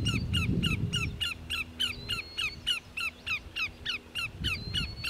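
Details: Greater yellowlegs vocalizing at Grand Forks, North Dakota, on 13 July 2009: a rapid, steady series of sharp, ringing downslurred notes, about three per second, with a faint thin whistle running behind and low rumble early on.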